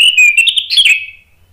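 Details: Orange-headed thrush singing in the loud, open ngeplong style: a rapid string of clear, sharp whistled notes with quick warbled flourishes, fading out after about a second.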